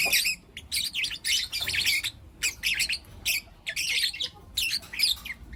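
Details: Lutino lovebirds, a group of four young birds, chirping in the morning; sharp, shrill chirp bursts repeated with short silences between them.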